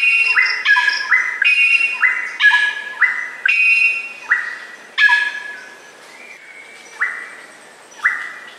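Greater racket-tailed drongo giving loud, ringing, upslurred whistles with metallic overtones, rapid at first, then slowing to single notes about a second apart.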